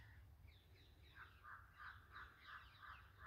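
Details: Feeding birds in jungle, giving a steady series of short, slightly hoarse notes about three per second, growing clearer after the first second, with low rumbling noise beneath.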